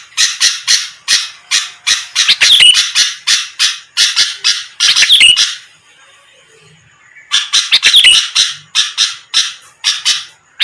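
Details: Sooty-headed bulbul sound played to draw quick replies from rival birds: loud, rasping chatter in rapid bursts, several per second, breaking off into near silence for about a second and a half before the scratchy notes resume.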